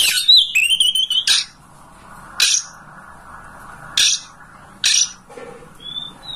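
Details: Kacer (oriental magpie-robin) master song meant to coax a bird at home into fanning its tail and singing: a burst of chirps and a wavering whistle, then sharp isolated clicks every second or so, ending with a thin whistle.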